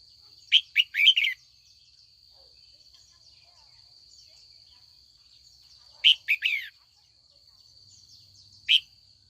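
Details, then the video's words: Afternoon calls of a female red-whiskered bulbul meant to stir older wild-caught males into competitive song: a cluster of rich warbled notes, another burst about five seconds later, then one lone note, with long quiet gaps and a steady high whine. "Luyện chào mào mái chiều gọi bổi già rừng hót đấu"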